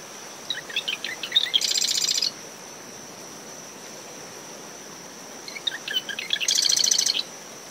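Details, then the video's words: Early-morning Marsh wren by its nest in dune shrubs ten meters from the tide line. Two songs roughly four seconds apart, each a string of loose chips leading into a harsh, fast, electric trill. Steady cricket whine, wind and waves. "Marsh Wren Calls from Dune Vegetation"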